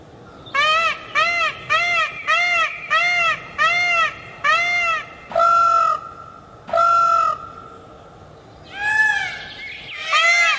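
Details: Peacock sound: a rapid run of eight short, loud, arched honking calls about half a second apart, followed by two longer flat cries and two rising, wavering calls.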